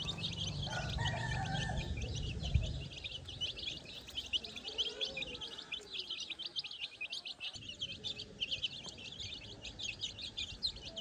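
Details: A flock of baby chicks scratches through farm grass for food and insects with no hen present, peeping continuously in quick high downslurred notes over a deep rumble that fades after two seconds.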